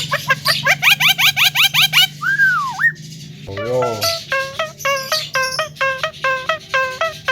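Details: Javan myna singing to provoke rival birds: quick rising chips, a looping whistle, a burst of wavering harmonic notes, then evenly spaced bright piping notes over a low background drone.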